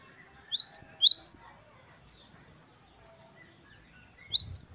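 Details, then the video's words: Great tit, locally gelatik batu wingko, singing in the wucit-wucit kristal style: four bright, high two-part notes rising then falling in quick succession, a long pause, then two more notes starting again. "Gelatik Batu Wingko Gacor | WUCIT2 KRISTAL | Great tit birds | Parus Major"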